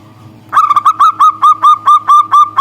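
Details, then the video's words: Local zebra dove calling a rival, described as reluctant to sing: a quick run of nine or so short, even, ringing coo notes, each slightly rising then falling, evenly spaced over a low background hum. "Perkutut lokal memanggil lawan malas bunyi"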